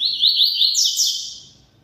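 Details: Double-collared seedeater song phrase of rapid, repeated upslurred chirps that run together, climb higher near the end and then fade into quiet.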